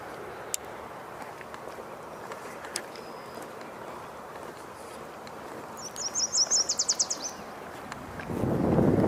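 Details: Yellow warbler singing unseen but nearby on 13 May 2023: a single quick phrase of high, sweet notes that speeds up over about a second, heard above a steady low rumble, with a loud broad noise rising at the end.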